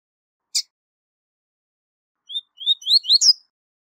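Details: Tutoring song of the tui tui zel zel type from a double-collared seedeater. A single sharp click is followed by a long pause, then rising whistled notes that accelerate into a shrill, buzzy ending.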